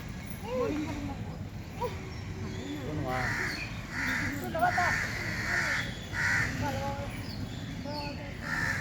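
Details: Human speech fills the opening seconds, then a crow gives a run of harsh, hoarse caws, several in quick succession, with more talking between calls.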